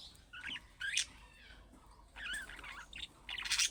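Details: Budgerigar warbling used to draw a reply from pet budgerigars: short, wavering, twittery chirps rising and falling in pitch, in small clusters separated by brief pauses.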